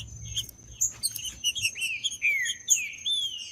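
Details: Green-winged saltator recorded in the bush, a natural recording meant to stimulate a captive male: a run of loud, slurred, downward-sweeping whistles, with sharp high chips and a steady high-pitched tone in the background.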